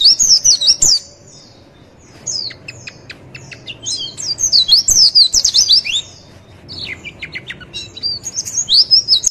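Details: Javan white-eye training and lure song for getting birds to answer: several bursts of fast, very high, chattering twitters with scattered sharp chip notes between them, over soft background hum.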